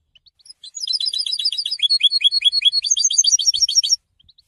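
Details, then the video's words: Captive European goldfinch singing its first song after moulting: a fast, tinkling, twittering run of high chirps and trills lasting about three seconds, preceded and followed by a few single notes, in quiet surroundings. "super goldfinch singing"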